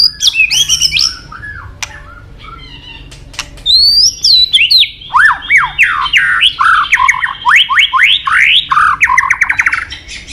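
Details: A white-rumped shama, popular among songbird hobbyists, sings a long virtuoso stretch: high trills, then a fast cascade of descending slurred whistles repeated many times with crisp clicking accents.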